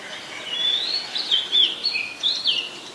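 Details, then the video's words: Song of an Oriental magpie-robin recorded in Ubon Ratchathani, Thailand, 14 October 2021: a continuous string of high, clean whistles that rise, dip and twist, with short trilled flourishes near the end over faint background hiss. "นกกางเขนบ้าน Oriental Magpie Robin (singing)"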